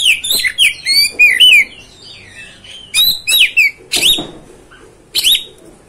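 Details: Oriental magpie-robin singing to provoke a rival magpie-robin: tumbling run of varied whistles and slurs, a quiet spell, then loud clipped chirps and scratchy notes in quick groups.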